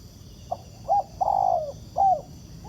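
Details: A free-living spotted dove, encountered while trapping with a ground decoy, coos in reply: a faint short note, a brief coo, a long drawn descending note and a final arched coo, mellow and low against steady hum.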